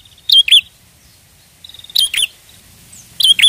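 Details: Prenjak lure for trapping: three phrases of paired sharp chirps, the middle one introduced by a clear rattling trill, over faint low background noise.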